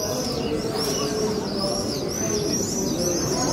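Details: Swifts flying over the Western Wall, a flock giving thin, high screaming calls in overlapping arcs, with steady crowd chatter and a low murmur of voices beneath.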